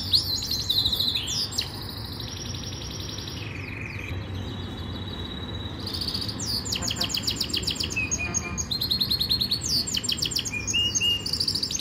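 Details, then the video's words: Yorkshire canary singing a training song: high bright trills and chattering phrases with a steady low hum beneath, loud rapid runs of notes in the second half. "Rasmi Yorkshire canary song | best Canary training song"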